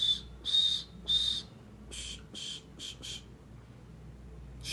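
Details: Black francolin (kala tetar) from Sindh giving a run of harsh, scratchy notes, three louder ones followed by several softer, clipped repeats, against faint steady background noise.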